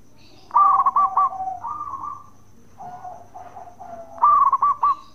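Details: Bekur song of a local zebra dove from Indonesia, meant to make other doves answer; a bubbling stuttered trill, then drawn-out mellow coos, and the trill returns near the end.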